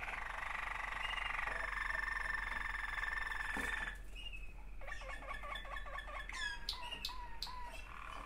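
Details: Waterslager canary, one of two siblings, indoors; a long sustained rolling trill for four seconds, then a pause and a series of rapid bubbling, knocking notes with quick high upsweeps.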